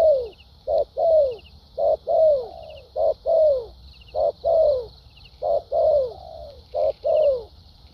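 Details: Caged decoy spotted dove, Vietnam, with a good voice and fighting temperament, delivering quick clipped coos that lead into longer downward-sliding notes, in a rhythmic series with brief gaps between phrases.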